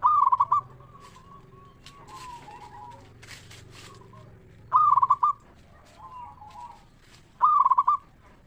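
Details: Local zebra dove singing, used to draw other zebra doves into song: rapid stuttering coo phrases, three across the stretch, background cooing from other doves and brief rustling sounds.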